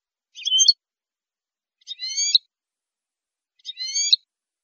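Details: Saffron finch on a recording for training caged birds: three separate harsh harmonic chirped phrases, each about half a second long, spaced roughly one and a half seconds apart. No other sounds.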